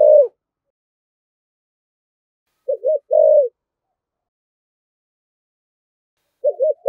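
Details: Spotted dove cooing in the energetic thổ thúc gù style: short bursts of low hollow coos, a quick double note, then a longer coo, separated by several seconds of silence.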